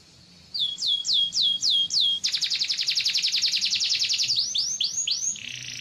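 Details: Yellow canary singing: a run of five loud, clear notes that swoop down from high to a lower pitch, then a fast, even buzzing trill of rapid repeated notes, ending in a few more downward swoops and a hissy phrase.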